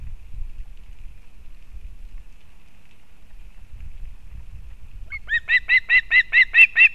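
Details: Osprey nest in Kurzeme, Latvia, 31 August 2024, female arriving with fish for her chick: five seconds of low wind rumble, then a sudden string of about eight loud, even, shrill piping chirps.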